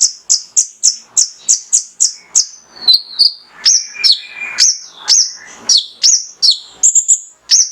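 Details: Male mangrove whistler lure song: opens with a rapid evenly spaced series of about nine sharp high chirps, then varied slurred whistles at slightly lower pitch and more chirps.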